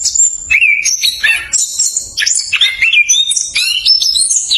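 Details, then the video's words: Orange-headed thrush in fast, tight rolling song (ngerol), used as a lure to get reluctant thrushes singing: a quick string of varied high whistles and chirps sliding up and down, with short buzzy notes between. "ANIS KEMBANG NGEROL SPEED RAPAT COCOK UNTUK PANCINGAN ANIS KEMBANG MALAS BUNYI"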